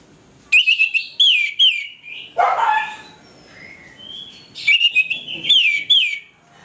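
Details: Morning ngeplong song of an orange-headed thrush, a lure meant to provoke aggression: clear whistled notes sliding up and down, a brief harsh burst in the middle, then more ringing, repeated phrases.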